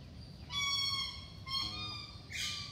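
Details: Indian peafowl at Karanji Lake in Mysore, a male dancing and displaying its raised train of feathers; three drawn-out, nasal, harmonic cries, each under a second long, over a low background rumble.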